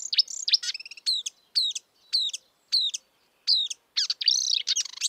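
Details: Marsh warbler singing in the wild, with a chattering start, then a repeated sharp two-part chirp given about once a second, ending in a rich warbled flourish.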